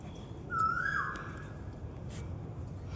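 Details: An Asian koel in a park at Janakpur gives a single clear whistled note lasting about half a second. It rises slightly before falling away, over a steady low rumble of background noise.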